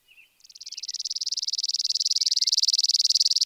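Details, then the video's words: Spizella sparrow singing a long, mechanical high trill of rapidly repeated notes that builds in loudness and continues steadily for about three seconds after a brief soft note. "Sounds of Spizella, Sounds of the Common Sparrow Bunting"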